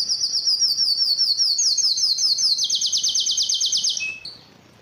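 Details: Yellow canary singing a loud rapid trill that climbs a step and then turns into a series of quick downward sweeps, ending with a short low note and silence.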